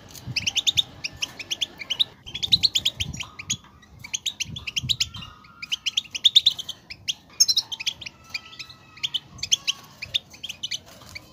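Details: European goldfinch song played to prompt a goldfinch to sing: rapid bursts of bright, chattering notes with tinkling twitters, phrases repeated in quick clusters with short pauses, a faint steady tone in the background.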